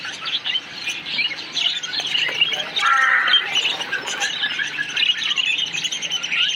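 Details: Many parakeets of a colony chirping, a lively jumble of high twitters and sharp squeaks, rising briefly to a louder burst of chatter midway, continuing steadily to the end.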